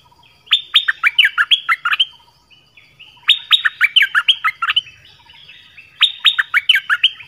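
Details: Three loud song phrases from a Dok Taeng bird in an original recording with many phrases, each a fast sequence of clear whistles sliding steeply downward, repeated every few seconds with soft warbling between.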